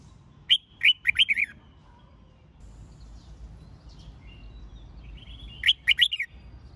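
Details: Singing red-whiskered bulbul used to train competition birds. A rapid run of bright whistled notes opens, faint chirps follow, and a similar lilting phrase returns five seconds later against low background noise.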